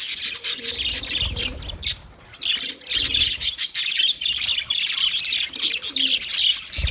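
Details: Budgerigars chirping together in a dense, continuous chorus of high, scratchy warbles and twitters, briefly fading near the two-second mark before the busy chatter resumes, with faint low murmuring sounds beneath.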